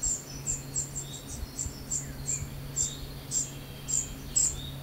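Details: A young common cuckoo being fed begs with thin, very high squeaky notes, about a dozen repeated every half second or so, over a steady low hum.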